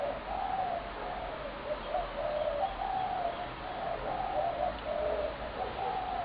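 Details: Spotted doves, a large population fed heavily by a neighbour and calling almost continually from sunrise to sundown near homes, coo in soft, low, hollow phrases about once a second, overlapping as if from several birds, over faint hiss.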